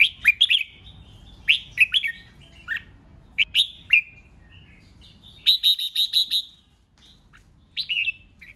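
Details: Red-whiskered bulbul singing competitively to provoke rival birds into singing back: clear, swooping whistled phrases of three to four notes, then a fast run of repeated bright ché chatter notes and a final short phrase.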